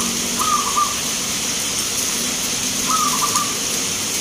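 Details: Local zebra dove singing at a bird song contest in Grabag, Magelang, Indonesia: two short stuttering cooing phrases of rapid, low, mellow notes, about two and a half seconds apart, over a steady hiss of broadband background noise.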